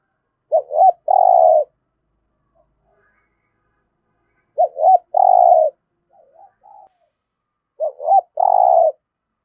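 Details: Spotted dove cooing in the 'thổ' style, including dueling-type calls to get captive birds calling; three repeated phrases of two hooked notes and a long rough coo, with quiet warbling notes between two of them.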